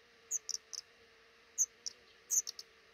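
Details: High thin chips from a black redstart nest in a roof nook above a front door, eggs hatching, pair raising five chicks; scattered short notes, some doubled, over a steady faint hum.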